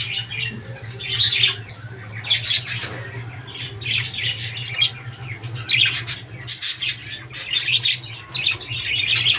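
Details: Budgerigar calls come in clustered bursts of harsh, buzzy squawks and chirps, several seconds apart, over a constant low electrical hum.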